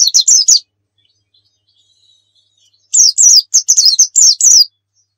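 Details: Pleci dakun from Pacitan, a white-eye, singing lively 'nembak' fill phrases: a brief chirpy burst, a faint thin note during a pause, then a longer volley of piercing, rapidly repeated slurred chirps.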